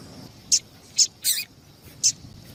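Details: Female double-collared seedeater calling to get males singing: four sharp, high chips at uneven intervals, one slightly longer and fuller, against quiet steady background hiss.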